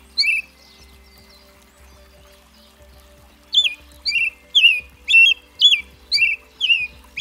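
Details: Red-breasted thrush, the American robin, singing: an opening whistled note, then after a quiet stretch a steady run of bright warbling phrases roughly twice a second, with a soft low thumping hum underneath.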